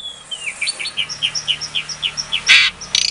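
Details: Asian pied starling from a Klaten, Indonesia breeding facility, recorded to make silent starlings answer: a steady series of short downslurred whistles, about five a second, ending in a harsh noisy burst, over a faint hum.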